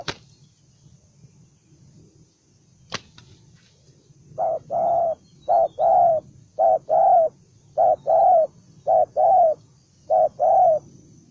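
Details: A single spotted dove, a bổi đồng son bird described as aggressive and combative, gives low hoarse coos in paired bursts of a short note and a longer note, repeated roughly every second after a quiet start with faint background hum.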